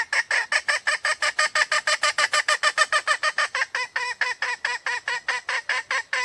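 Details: Red junglefowl hen from Sumatra, sound used to attract males or set them crowing: a long, steady stream of raspy clucks, roughly two per second, growing slightly more tonal toward the end.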